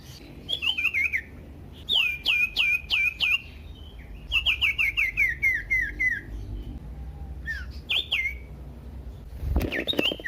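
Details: Loud, varied Common iora song meant to provoke other ioras to sing, with bursts of four to six sharp down-slurred whistles, each paired with a falling lower note, separated by short pauses; a click near the end.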